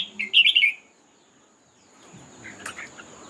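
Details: Red-whiskered bulbul in a singing contest, one loud fluty warbled phrase at the start, then silence and a softer distant reply with a sharp click.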